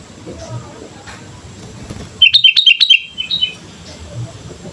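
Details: Sooty-headed bulbul singing hard, used as a lure for training: a rapid string of five bouncy, liquid chirps, then a softer two-note tail, set against a quiet, low rumbling background.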